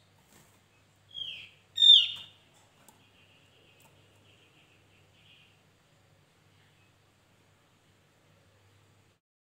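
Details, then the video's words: A Javan grey-throated white-eye gives a short falling whistle, then a louder slurred whistle with a bright start. Faint scattered chips and twitters follow, in a lure or tutor recording with a quiet background. "Opior Jawa pancingan gacor"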